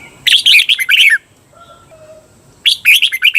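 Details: Training song of a caged red-whiskered bulbul from Thailand, a recording meant to teach birds: two dense bursts of quick, rich chirping notes separated by a quiet gap holding soft low whistles.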